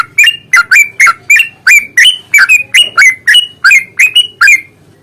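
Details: Yellow-vented bulbul in energetic fighting song, a long rapid 'ropel panjang' style used as a lure to provoke other birds into singing: a steady run of about fifteen bubbly, slurred chirps, each dipping and rising, a little over three per second.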